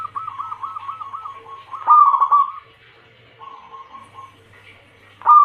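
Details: Calling female zebra dove, used to attract males: a fast stuttering run of cooing notes, a loud burbling coo, a pause, a softer trilled phrase, then another loud coo starting.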